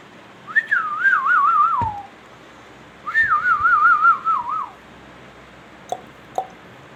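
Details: Pet king ringneck parrot whistles two warbling phrases, each starting high, then trilling downward with a quavering tremolo, with soft taps between them in a quiet room.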